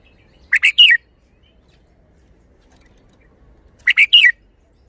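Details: Red-whiskered bulbul song: two identical crisp phrases of three rapid, slurred whistles, the last one dropping in pitch, repeated about three seconds apart in a quiet setting.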